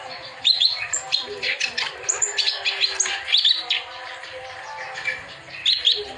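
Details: Clamorous reed warbler singing to stimulate other birds: grating, scratchy phrases with sharp squeaky whistles, a brief softer gap midway, and a faint low hum in the background.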